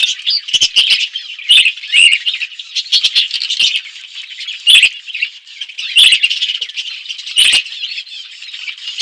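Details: Budgies feeding on seeds in an outdoor forest aviary make a harsh, continuous squawking chatter, broken every second or so by sharp clicking sounds.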